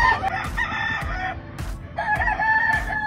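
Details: Grey Kelso Albany rooster on a farm giving loud, harmonic, drawn-out crows at the start and again after two seconds, with rhythmic music playing underneath.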